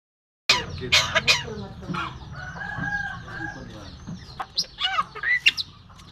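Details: Myna imitating human coughing, laughing and talking. A burst of harsh, broadband cough-like bursts opens, then raspy harmonic phrases and squeaky rising and falling notes follow irregularly.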